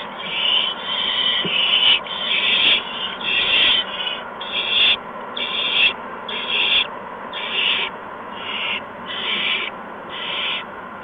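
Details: Owlets at a nest while parents deliver mice and a gopher around 8 PM on March 13, 2015; a long run of about a dozen raspy hissing bursts, roughly one per second, with faint rubbing noises.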